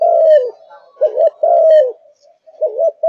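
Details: Low, mellow coos alternate between long falling notes and short wavering doubled notes, with faint background hiss. The singer is a spotted dove of the Malaysian type in peak form.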